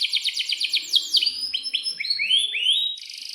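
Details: Atlantic canary in breeding condition, with chirps and long rolls. Rapid falling notes run about six per second, then come rising upslurred whistles in pairs and a closing buzzy trill.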